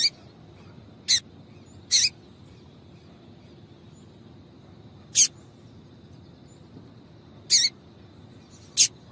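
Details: Double-collared seedeater female gives her calls to excite males into song. Brief, piercing, high chips are spaced irregularly, six across roughly nine seconds, with low background hiss.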